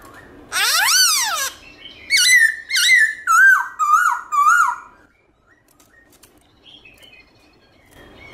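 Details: Black-throated laughingthrush singing in the morning in the forest-voice style with varied phrases: a loud harmonic whistle sweeps up and falls, then five clear down-slurred whistles follow in quick succession before silence.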